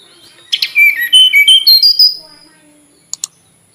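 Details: Melodious tledekan gunung flycatcher phrase: a sharp opening note, then pulsed whistles dropping low and climbing upward step by step over about one and a half seconds, followed by two faint clicks.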